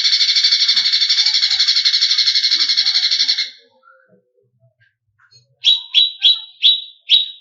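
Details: Greater green leafbird song, a training recording to rouse competition birds: a long, steady, buzzy rattling trill lasting over three seconds, a quiet gap, then five sharp, evenly spaced falling chips.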